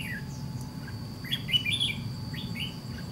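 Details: White-cheeked red-whiskered bulbul singing in a trap fight against a decoy; a short burst of bright, slurred chirping notes in two quick phrases, with a constant low hum behind.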